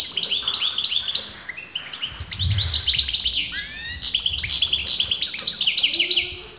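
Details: Continuous song of a European goldfinch whose sex breeders argue over: fast chattering and tinkling high notes, several downslurred whistles and liquid twitters run together without a break, faint low rumble beneath.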